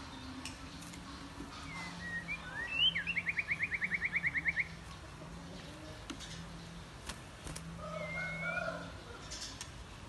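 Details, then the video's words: White-rumped shama, an ornamental cage bird, singing 'wild voice' style song and continually switching voices: a sharp rising note, then a fast even trill of about a dozen buzzy pulses. Softer scattered notes follow later over a steady low hum. "Chòe Lửa Hót Hay | Giọng Rừng Rất Hay Và Liên Tục Hót Đảo Giọng"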